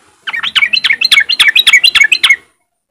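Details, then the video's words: Sooty-headed bulbul in riwik song style, used as a lure to get other untrained bulbuls to sing along: a rapid, even run of about fifteen bright chirping notes, each sliding down, lasting two seconds in a quiet background. "pancingan trucukan bahan biar cepat bunyi riwik"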